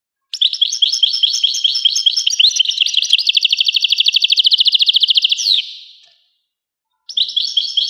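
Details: European goldfinch singing a long phrase of sparkling twitter that shifts into an even, rapid buzzy trill, then stops abruptly; after a pause the song resumes.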